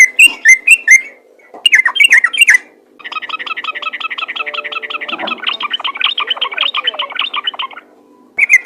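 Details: Caged yellow-vented bulbul in fast, lively ropel song, used to coax other bulbuls into singing: bursts of short bubbly notes, then a long run of rapid chattering notes before the bubbly phrases return.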